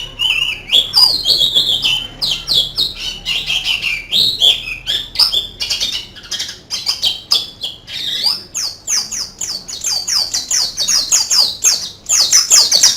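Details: Oriental white-eye giving a canary-like song, with long runs of very rapid high twittering, whistled slides, and a fast repeated series of sharp chirps in the second half.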